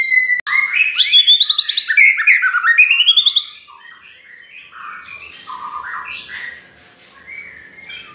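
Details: White-rumped shama song played as a lure for other shamas: a loud rapid run of rising whistled notes for about three seconds, then softer scattered whistles and chatter over a steady high tone.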